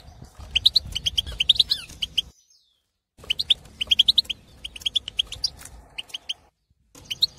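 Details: Wild Algerian European goldfinch male in breeding condition, kept in an aviary, singing to stimulate other goldfinches: rapid bright twittering phrases of high chirps and trills, broken by a short silence, with faint low background hum.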